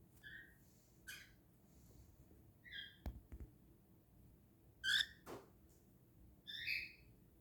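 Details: Pet male cockatiel, itchy and scratching, sneezing indoors. Short chirped notes with bright layered tones alternate with sharp, brief broadband bursts, two close together near the middle and another soon after.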